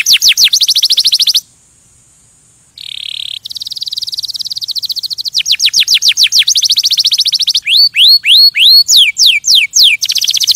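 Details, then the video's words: Canary singing to stimulate other birds, fast high trills interrupted by a brief pause and a short harsh buzz, followed by rising whistled slurs and quick falling notes. "Kanarienvogel singt um Vögel zu stimulieren"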